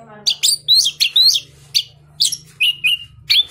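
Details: Orange-headed thrush kept in a cage, ringed and bred in southern Malang, Indonesia, singing energetically: quick sequence of high, sharp upslurred whistles and brief buzzy notes, roughly two per second, over a steady low hum.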